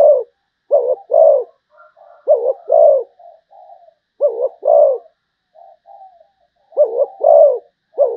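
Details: Malaysian zebra dove giving bursts of clipped and rolling coos in twos and threes, with soft, low, murmuring trills filling the gaps between bursts.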